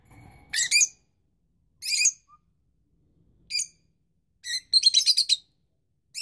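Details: Rosy-faced lovebirds, young birds with parents that are incubating: sharp high chirps in short bursts about every second or two, ending in a quick rattling run of six or seven chirps, with quiet pauses between.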